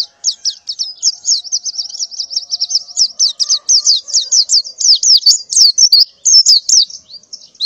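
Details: Morning calling of a female white-eye in breeding condition, soliciting males: fast, thin, high chirps strung into a continuous chattering trill, with brief gaps near the end. Only a faint background hum accompanies it.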